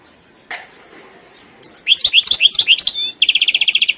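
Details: Goldfinch song: after a soft thump, a quick run of bright, tinkling slurred notes gives way to a fast, buzzy repeated trill at the end.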